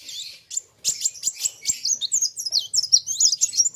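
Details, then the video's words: Kolibri wulung sunbird in vigorous song facing a rival: sharp high chips at first, then a rapid run of looping, squeaky, whistled twitters that speeds up toward the end, with light clicks. "BURUNG KOLIBRI WULUNG NARUNG GACORR KETEMU LAWAN SAMA" GACORR"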